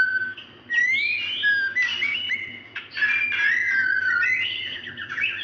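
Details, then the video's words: Plaintive call of a female White-rumped shama summoning a male, played as a lure for males that seldom sing: a drawn-out whistle, then rising slurred notes and busy tumbling phrases, with a low hum beneath. "Rintihan ampuh suara murai betina memanggil jantan ini jitu buat pancingan murai batu malas bunyi"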